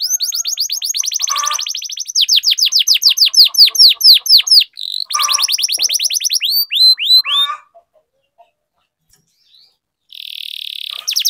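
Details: Canary song used to prompt other canaries into singing: fast rolling trills of sharp downward-sweeping notes, broken by short pauses, then near silence before a steady high buzzy note returns at the end.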